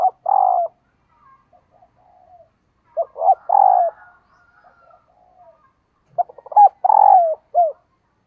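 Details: Three coo phrases from a female dove calling males, spaced about three seconds apart, each a few short notes leading into a prolonged, gently falling coo; otherwise quiet.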